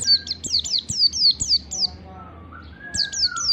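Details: Riwik-type Oriental white-eye lure song in dense standard ngalas style: a fast string of piercing high slurred notes tumbling downward, a brief gap filled by a soft lower whistle, then the chirping resumes over a steady low drone.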